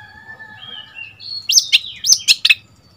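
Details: Young Oriental magpie-robin, seven months old and kept as a decoy, countering wild birds: sustained thin whistles, then a loud rapid run of sharp, sweeping notes about five in a second.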